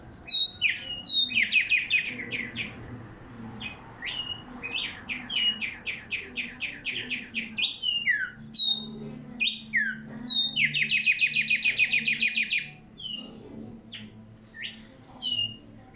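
A tumba yegua sings bright, rapid trilled phrases with sharp upward-sweeping notes, repeated over and over.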